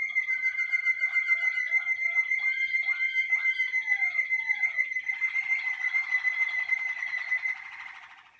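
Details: Malinois Waterslager canary warming up in the singing cabinet early in training, holding one long, pure whistled note throughout with fast rolling, gurgling trills beneath it that fade toward the end.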